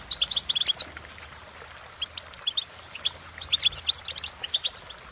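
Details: Goldfinch giving quick bright chirps in a burst, a quieter pause, then a busier flurry of high twittering notes toward the end.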